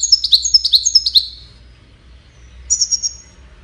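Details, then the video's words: Goldfinch courtship and communication song: a quick series of about six bright, downward-slurred chirps, silence, then a short burst of four high tinkling notes. "Witness the Majestic Goldfinch Singing"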